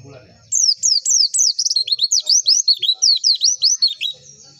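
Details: A white-eye on lure audio meant to get caged white-eyes singing gives a rapid, high, twittering song: about two dozen thin, slurred notes sweeping down and up over four seconds after a faint murmur.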